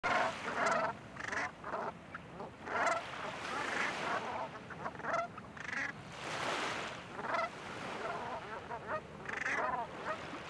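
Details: A flock of Brant, bobbing and diving for seaweed, gives overlapping throaty, rolling cronks, several every second, over a steady wash of wind and water.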